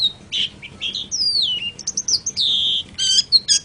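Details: Long-tailed shrike singing a varied medley: a long gliding whistle slurring downward, short bright chips, a sustained buzzy tone and harsh clustered notes, all high-pitched and clearly recorded.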